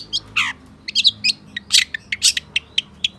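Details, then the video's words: Lively long-tailed shrike delivering a full-isian song with mimicry: a harsh rasping note, then rapid high chirps and squeaky twitters about two each second over a low background hum. "SUARA PENTET GACOR FULL ISIAN || CENDET GACOR"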